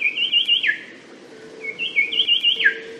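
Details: Little shrikethrush (Colluricincla megarhyncha), found in Papua, Papua New Guinea and Australia, gives two bright, warbled whistle phrases, each ending in a quick downslur, over a faint low hum; song.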